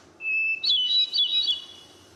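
A Hermit Thrush sings one phrase: a long, pure, steady whistle, then a quick, higher tumble of ringing, flutelike notes that fades out.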